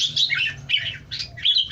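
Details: Red-eyed bulbul singing: bright, chattering warbled phrases of short rising and falling notes, delivered in quick bursts with a low steady hum underneath.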